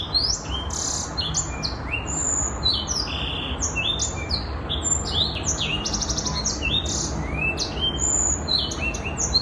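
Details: A young six-month-old Black-throated canary (Crithagra atrogularis) sings a fast, continuous run of high, sweet twittering notes and short trills, with a steady low hum beneath.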